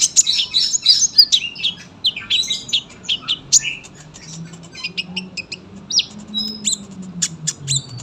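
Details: A sunbird sings long and dense, recorded as a tutor for young birds: rapid high twittering phrases of chirps and slurred notes, growing sparser toward the end, with a soft low hum underneath.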